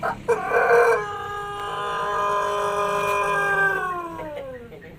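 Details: A Pelung rooster gives a long, drawn-out crow, a steady ringing note sliding downward at the end; its crow is described as altered after recovering from ngorok, a throat illness with mucus.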